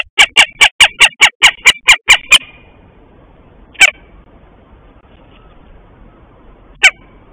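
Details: A northern goshawk (Accipiter gentilis) at its nest in a garden around 6:11 am, 13 March 2023, the female calling outside, gives a fast, harsh chatter of about ten loud kek notes, then two sharp calls; faint hiss.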